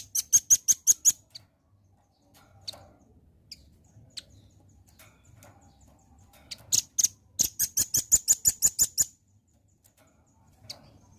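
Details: Velvet-fronted nuthatch song played as a lure to draw birds into responding: two quick bursts of sharp, very high chipping notes, about seven then a dozen, each run rattled off rapidly, separated by a quiet pause with faint low hum.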